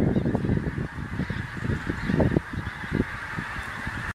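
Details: Migrating skein of geese passing over Ormskirk Moss, Lancashire: many honks overlap in a steady, irregular chorus, with louder clusters near the start and middle, over constant background hiss, ending abruptly.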